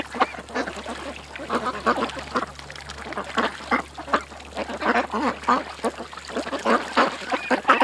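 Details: Several ducks gathered at a creek give rough, nasal quacks in quick, uneven bursts, calls overlapping and rising and falling in loudness, with a faint low hum underneath.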